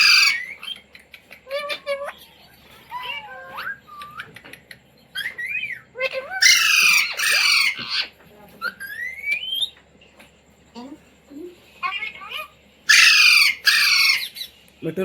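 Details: Talking Indian Ringneck parrot kept as a pet, taught the words "mummy", "mitthu" and "roti roti"; scattered squeaky word-like notes and rising whistles, broken by two bursts of loud harsh screeching.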